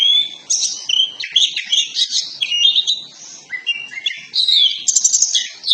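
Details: Kacer poci, an Oriental magpie-robin, singing a lure recording meant to provoke tail-spreading and bold singing: loud, rapid phrases of bright whistles, scratchy notes and rising slurs, with a brief quieter pause midway before energetic high chatter resumes.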